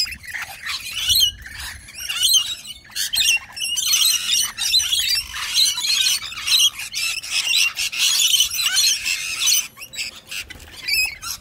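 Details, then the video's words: Rainbow lorikeets, a pair asserting dominance over other birds, in a constant overlapping chorus of harsh, high screeches and shrill chatter, with several birds calling at once. "Lorikeets OWN THE PLACE!!!"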